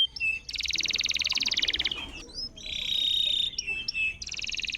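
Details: Canary song used to encourage silent canaries to sing: dense buzzy trills and a held harsh note alternating, sounding somewhat distant and muffled against low background noise.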